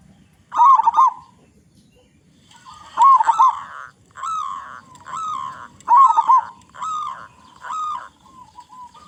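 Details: Local zebra dove, loud song used to prompt other zebra doves to sing: warbled coo bursts repeated at intervals, then a steady string of separate cooing notes, the last ones softer.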